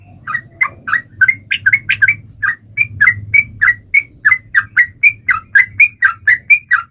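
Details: Sooty-headed bulbul singing to encourage other birds: fast, chattery sequence of short slurred notes, repeated quickly and steadily, accompanied by a continuous low droning hum underneath.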